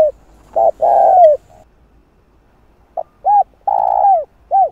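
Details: Spotted dove calling to draw in wild doves: the end of one phrase with a long falling coo, a quiet gap of over a second, then a full phrase of clipped note, arched coo, long coo and final coo.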